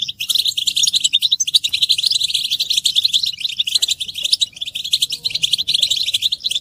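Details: Several European goldfinches twitter together in a dense, continuous chorus of bright, tinkling chirps and buzzy trills, with no pauses. Mating and readiness calls meant to stir males into song.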